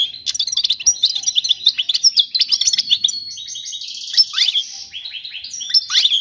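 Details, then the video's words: European goldfinch singing a clean song used to teach chicks. Quick, liquid twittering runs into a series of buzzy, rattling notes, then sharp rising whistles, all delivered without pause. "تغريد الحسون الملكي خالي من الاخطاء لتعليم الفراخ"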